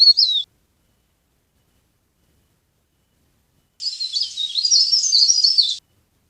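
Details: Leaf warbler (cikrak daun, also called pare pare), a sound used as a trapping lure. A short high down-slurred note, a pause of about three seconds, then two seconds of rapid, thin, high-pitched warbling twitters.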